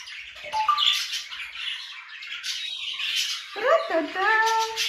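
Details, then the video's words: Two grey parrots whistle a tune indoors, in a room where budgerigars are screaming. There is a short steady note, then a run of sliding, downward-bending whistles, over constant high budgerigar chatter. "Танцы, песни, свист от Жако"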